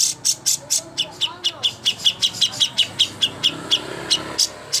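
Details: Greater green leafbird master song for bird contests: steady series of sharp, high tsip-like notes roughly three to four per second, with faint low murmuring in the background.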